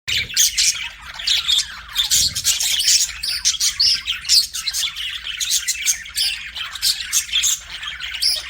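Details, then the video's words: Pet budgerigars chirping: dense, continuous high warbling chatter of quick buzzy notes and short whistles, overlapping calls with no pause across the whole stretch. "BUDGIE CHIRPING SOUNDS"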